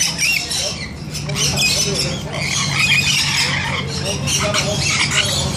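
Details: Bathing rainbow lorikeets keep up a constant harsh, scratchy squawking chorus, several birds calling over one another in rapid irregular bursts, above a low droning hum.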